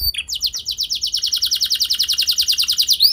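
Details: Canary lure song, meant to prompt other canaries to answer and sing: a bright, high, steady trill of rapid downslurred notes, about eight per second, running almost unbroken for three seconds and ending in a quick upward flick.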